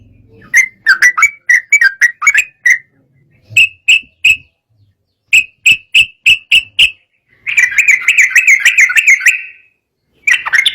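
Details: Sooty-headed bulbul in agitated song that draws rivals to sing: series of sharp, evenly spaced chip notes in short runs, then a sustained bubbly warbling phrase, and a final chip.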